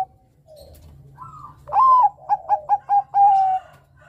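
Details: Bangkok-type zebra dove sings sweetly, its song meant to draw rivals into singing; a soft lead-in, a bright arched coo, several quick staccato notes, then a drawn-out ending note.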